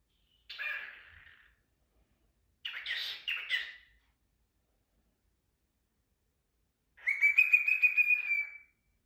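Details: A pet cockatiel giving kisses: two breathy smacking sounds, the second a quick double, then after a pause a longer whistled, warbling note holding level and slightly rising.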